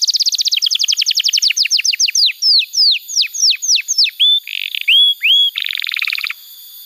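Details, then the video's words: Canary song used to coach young canaries and restart birds that have gone quiet: rapid descending chips slow into separate whistled downslurs, broken by a short buzz, then a low harsh rattle before silence. "Pancingan Suara Kenari Gacor‼️ Ampuh untuk Masteran Kenari Muda dan Terapi Kenari Macet Bunyi"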